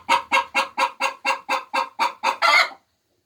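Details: Laying hens cackling: nine regular harsh clucks about four per second, closing with a drawn-out louder squawk, then quiet.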